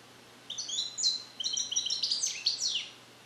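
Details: A caged European goldfinch, hatched in 2021 and trained on Neapolitan passages, begins repeating its learned phrases, still incomplete. One continuous, dense run of bright twittering and downslurred whistles lasts over two seconds, with no other sounds.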